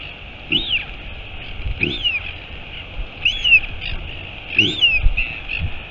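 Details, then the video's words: Rising-falling squealing notes repeat roughly every one and a half seconds, with soft low thumps underneath. Royal albatross at a Taiaroa Head nest near Dunedin, New Zealand, mother just arrived, live camera, 23 August 2022. "Альбатрос. Прилетела мама - Albatross. Mom arrived"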